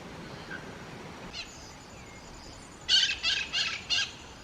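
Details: Black-throated mango in the Atlantic Forest: after a quiet start with a faint note, a burst of four dry, buzzy chips follows, spaced about a third of a second apart, each one harsh and broadband.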